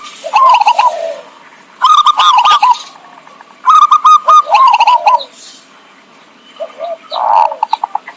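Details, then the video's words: Zebra dove calling as a trapping lure: fast, trilled cooing phrases ending in a soft falling note, given in bursts with short pauses between. "suara pikat burung perkutut"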